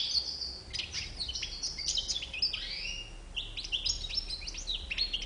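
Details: European goldfinch song opening with chirps, then several drawn-out slurred whistles falling in pitch, followed by quick jingling twitters; light low rumble beneath.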